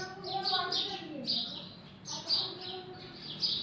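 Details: Birds chirping at their hut: a busy run of short, high, bright chirps repeated several times a second, with lower murmuring tones underneath.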